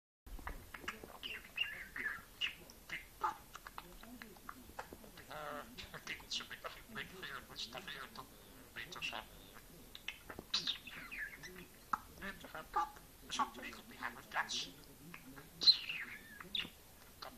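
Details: An adult male pet budgerigar meeting a new six-week-old young budgie chatters nonstop to make contact, mixing scratchy mimicked Dutch and English phrases with quick warbles and sharp chirps.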